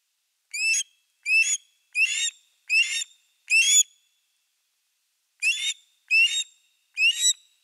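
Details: Osprey pair at a nest with a fish, from a Finnish nest camera, 4 August 2024: loud, high, whistled upslurred yelps given in a run of five, a pause, then three more, with a clean quiet background.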